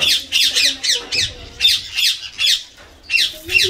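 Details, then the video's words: Indian green ringneck parakeet, a tame pet taking a shower and playing with water, squawking loudly and steadily: about ten rasping, harsh calls in quick succession with one short pause, little else heard. "Indian Green RingNeck Most Intelligent Parrot In Talking And Funny Sound"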